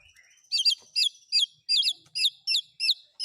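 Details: White-rumped shama song with filler from other birds such as speed cililin, canary and lovebird. High, looping twisted chirps repeat about three times per second in a quiet setting.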